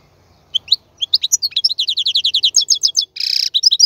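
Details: European goldfinch male sings for young birds learning song, a quickening series of sharp twittering notes closed by a nasal buzzy trill and a few final chirps.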